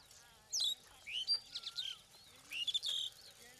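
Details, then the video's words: Starling giving a varied run of sharp, rising and falling whistles and harsh chirps in short bursts, with quiet pauses between them. "jalak birds"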